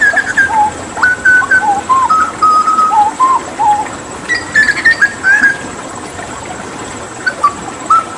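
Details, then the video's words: Rich flute-like whistling from a hooded butcherbird of Papua, a skilled mimic: low rounded notes alternate with higher clear ones in an unhurried, varied sequence, steady hiss behind. "Masteran Tembakan JAGAL PAPUA gacor"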